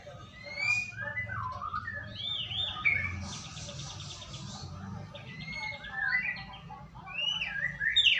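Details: White-rumped shama song used as a lure to get a bird to sing: quick whistled notes and slurs mixed with fast, buzzy rattling trills, continuing busily throughout.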